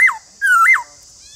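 Black-throated Laughingthrush giving two loud, clear whistled phrases, each sliding down and then curling up, over a steady high hiss.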